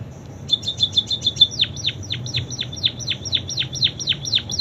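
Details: Munia singing a song filled with canary imitations: a fast series of sharp, high, downward-sweeping notes, about four per second, with a brief buzzy high trill at the start; steady low background hum.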